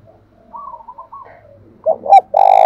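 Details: Spotted dove in the thổ pha singing style, used to provoke a newly caught dove. Soft higher wavering notes come first, then two short low hooked notes and the start of a loud, sustained coo that is cut off at the end.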